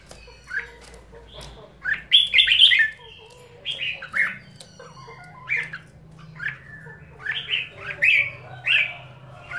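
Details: Red-whiskered bulbul singing short, bright warbled phrases of rising and falling notes in bursts about every second, with a few sharp clicks and a steady low hum underneath.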